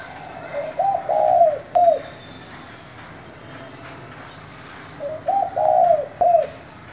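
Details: Thổ-voiced spotted dove calling to provoke other doves: two soft, low three-part coo phrases roughly four seconds apart, a brief upturned lead note, a drawn-out wavering coo and a short dropping final note, over quiet background.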